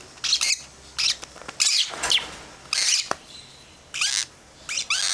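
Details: Young lovebird chicks of a pet pair's second clutch giving a run of short, scratchy, high-pitched squawks and chirps in irregular bursts, roughly one each second, in a quiet room.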